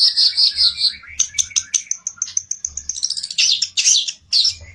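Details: Olive-backed tailorbird, worked up and seeking a rival, opening with a run of high piercing whistled notes, then a quick stuttering chatter of sharp chips and bursts of rapid high trilling.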